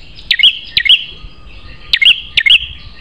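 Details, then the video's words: Prinia in a recording made to tutor young caged prinias into fierce, loud singers, described as sharp-voiced: four sharp, high double chirps, each a downward flick then a bright tick, given in two pairs, over a faint steady high tone. "Masteran Prenjak Terganas Suara Pedas"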